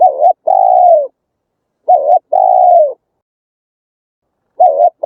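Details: Spotted dove call used to lure wild doves to a trap. Each phrase pairs a short wobbling coo with a longer, drawn-out, softly falling one. The phrase repeats about every two seconds over a silent background.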